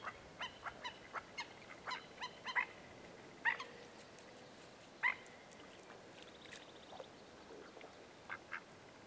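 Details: Black-necked Stilt at Goldwater Lake, Prescott, Arizona, morning of May 14, 2017, Canon VIXIA HF R600 camcorder: scattered single sharp yips with long gaps between them, plus a brief buzzy note from another bird.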